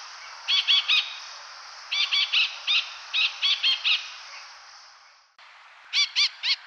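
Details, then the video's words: A Layard's parakeet (Psittacula calthrapae), a resident endemic of Sri Lanka, gives harsh, ringing notes in quick bursts of two to four, repeated about every second over a steady hiss of background noise. "Layard's parakeet|අළු ගිරවා"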